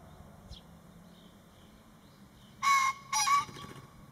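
A male green pheasant gives its crow, two loud, harsh, ringing notes a half-second apart, after a few seconds of quiet background.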